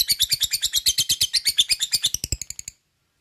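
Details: Lovebird in a training lure recording meant to make lovebirds sing often and deliver the long ngekek chatter: a rapid run of shrill, buzzy notes, about eight per second, for nearly three seconds, then falling silent.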